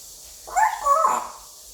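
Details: Five-year-old male African grey parrot kept as a pet indoors, practising English: one short harmonic squawk-like utterance lasting under a second, rising and then dipping, in a quiet room.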